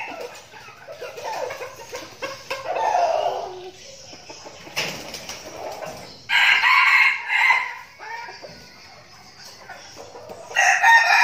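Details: Decoy red junglefowl in training in Binh Phuoc, Vietnam: first low clucking and knocking sounds, then a loud ringing crow midway, and another crow starting at the very end.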